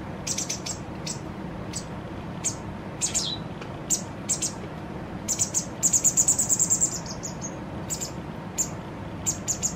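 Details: Recently fledged White wagtail, two days before independence, fed by its parent until full for the last time; high, thin chirps repeat irregularly, with a rapid burst of about eight quick notes near the middle.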